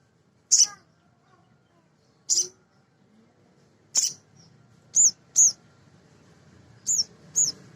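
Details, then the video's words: Male sogon, a small nectar-eating sunbird, played as a lure to excite other sogon into singing: sharp, very high chirps, single or in quick pairs, spaced about a second or two apart over a quiet background. "Suara Sogon jantan asli"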